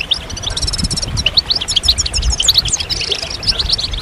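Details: Short burst of European goldfinches singing together to stimulate moulting males; clipped, repeated bright chirps and liquid twittering notes in quick runs, overlapping voices, light low rumble.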